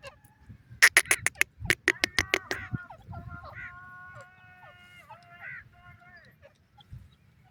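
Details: Francolin (teetar), from a recording presenting Buday teetar and Irani teetar: a burst of loud, sharp, rapid pulsed notes, then several drawn-out nasal, harmonic calls overlapping and fading, over a steady low hum.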